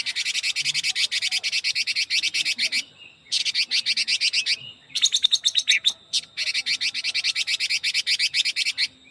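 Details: Chinese hwamei delivering a super-fast song: long runs of rapid, rhythmic scratchy notes broken by short silences.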